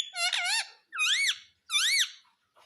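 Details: Indian ringneck parakeet kept as a talking pet, said to say mummy and papa, uttering three quick harmonic, arched syllables, each rising then falling, spaced about half a second apart.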